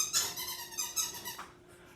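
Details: A pet Muscovy duck, restless in its cage indoors in a small room, puffs and pants instead of quacking: three short, breathy, hissing bursts over two seconds.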